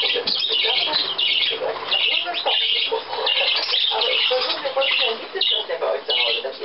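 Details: Hand-tame budgerigars bathing on 7 June 2010, giving squawky, scratchy chatter in rapid high bursts, repeated throughout, while a person speaks German softly nearby.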